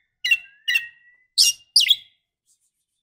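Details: Female Oriental magpie-robin calling to a male: four short, separate calls, the first two with a thin, drawn-out whistle that trails off, the last two harsher and raspier, then silence.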